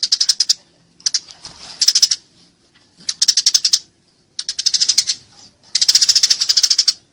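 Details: Eurasian tree sparrow engaged in fighting, clearly recorded to train songbirds: loud rattling bursts of fast, harsh high chirps alternating with softer chatter and brief silences.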